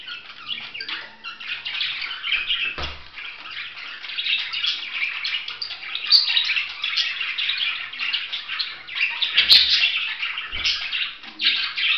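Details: Budgerigar chattering in a continuous, dense warble of squeaky, scratchy chirps and trills, high-pitched and unbroken across the whole stretch, with a couple of sharp clicks partway through.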